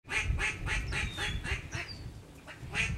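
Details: Ducks rising in waves at an East Arkansas reservoir on 22 November 2011 give rapid, nasal quacks, about four a second, then a looser run of calls, over a low rumble of wind and wingbeats.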